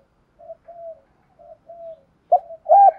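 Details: Decoy spotted dove cooing to lure wild doves in to fight: low, soft coo notes in short paired phrases with pauses, ending in two louder, fuller coos.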